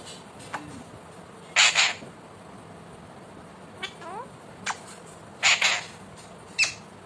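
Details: Pet Indian ringneck parakeet, described as a talking parrot, giving short harsh squawks, two of them doubled, spaced a few seconds apart, with a few fainter clicks and chirps in a quiet indoor setting.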